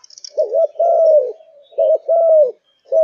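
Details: Malaysian zebra dove, kept caged and in full singing form, repeats soft, rolling coo phrases with wavering opening notes and long sustained tails, pausing about half a second between groups; faint high chirps at the start.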